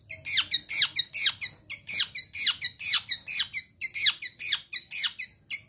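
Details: Young East Java long-tailed shrike singing hard while in breeding condition and eager to mate: a fast, steady series of harsh, high, downward-sweeping notes, a little over two each second, with no other sounds around.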